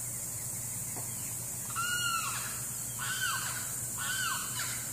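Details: Limpkin calling: three loud, arched wailing notes that rise and then fall, repeated roughly once a second, over a steady hum and a high hiss.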